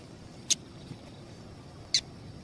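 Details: Female double-collared seedeater calling to stir up males. Two crisp, very high chips about one and a half seconds apart, with low background hiss.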